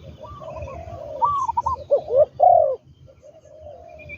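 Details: Spotted dove used as a trained decoy in ground trapping, giving a short phrase of quick low coos that ends in two loud, drawn-out notes, followed by soft background cooing.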